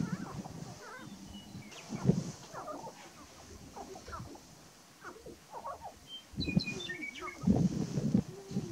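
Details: Male sharp-tailed grouse displaying on a lek in Burwell, Nebraska, March 2018: a chorus of low clucks, cackles and hollow coos rising in intensity near the end, with bright whistled notes from other birds.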